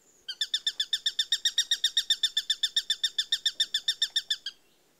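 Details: Eurasian sparrowhawk giving a rapid chattering run of shrill, regularly spaced notes, nearly four per second, lasting about four seconds against a quiet background.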